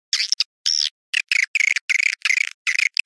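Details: Swiftlet sound named "Awan hitam": a few rough twittering bursts, one drawn-out arching note, then a string of grating chirps in quick groups.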